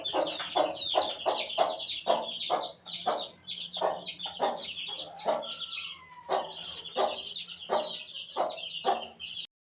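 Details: Rapid, dense peeping from eighteen-day-old chicks: high, curved chirps repeated several times a second, one longer sliding whistle midway, with regular sharp pecking clicks before the sound cuts off abruptly.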